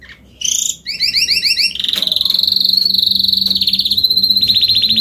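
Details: Adult Spanish Timbrado canary just back from its feather moult, singing a rapid high series: short paired notes, then a fast, even, metallic trill held steady for several seconds.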